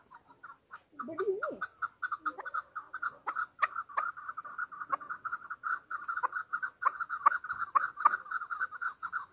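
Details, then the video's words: Hunter chukar partridge, Pakistan's national bird, in Pakistan: a long steady run of short clucking notes at an even pace, with a brief low voice-like sound near the start. "chakor ki awaz | Hunter chukar voices | Hunter Chukar sound"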